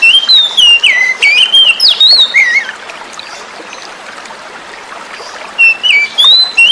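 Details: Oriental magpie-robin caught from the forest, its song used to stimulate birds that stopped singing; nearly three seconds of fast, loud whistles rising and falling, a lull with gently running water, then a short closing phrase.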